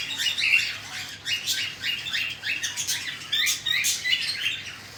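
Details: Cockatiel chicks begging as their parents feed them: grating, buzzy squawks in quick bursts separated by brief pauses.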